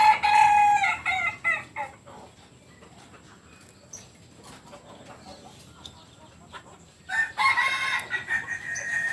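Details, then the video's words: Kokok Balenggek rooster from Solok, West Sumatra: the tail of a crow with a series of short stepped notes opens, quiet follows, then another crow of pulsed harmonic notes begins after seven seconds. "Ayam kukuak Balenggek"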